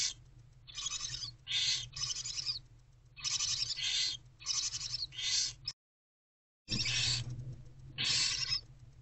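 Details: Barn owl owlets in a nest box at night, 11 February 2024 around 4 am, while their mother takes a break: long, harsh, breathy hissing screeches in repeated bursts, with one short silent gap.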